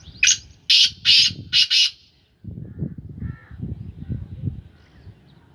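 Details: A pet black francolin of the Sindhi Ganga strain, now in its third calling season, gives five loud, harsh, grating notes in quick succession, then stops; low rumbling wind or handling noise follows, with one faint brief whistle.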